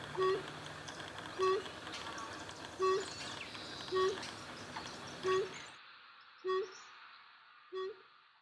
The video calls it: Brush Bronzewing